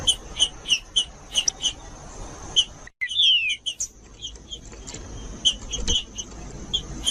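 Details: Green-winged saltator giving "judas" song meant to stimulate other saltators to sing: a run of quick high chips, then a clear falling whistled slur, then more scattered notes over a constant thin high tone.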